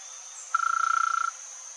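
A female little woodpecker gives a fast, even trill of about twenty rapid notes on one mid pitch, lasting under a second. A steady high insect hiss runs behind.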